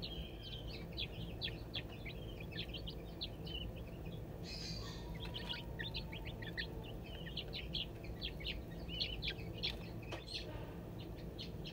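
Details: Captive crested wood partridge chicks scratching for bugs and seeds at the Saint Louis Zoo; rapid runs of short high peeps, many per second, with a faint rustle in the middle and a steady low drone.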